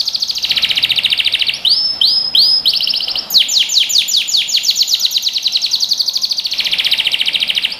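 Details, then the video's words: Canary singing to train young birds: a long bright trill, several rising swelling whistles, then a lengthy rapid sequence of falling notes merging into a continuous rolled trill. "Canary Singing | Melodies Canary Bird Song"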